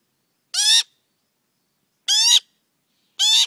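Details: Very loud magpie fledgling, a young male grown tame around people, calling on a morning visit. Three harsh, buzzy squawks, each with a slight upward slide, spaced about one to one and a half seconds apart.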